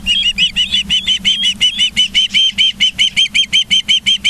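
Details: Charlo, Montana ospreys on a live cam, morning of 24 August 2023 at 09:29, giving rapid repeated shrill whistled chirps, around five each second, evenly spaced and downslurred, with a faint low hum underneath.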